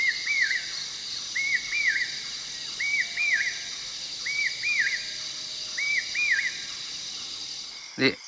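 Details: Common hawk-cuckoo at night after dinner at a forest watch tower in Periyar Tiger Reserve, Thekkady, giving shrill, rising-then-falling notes in pairs about every 1.3 seconds over a steady insect hiss; a sharp knock ends it.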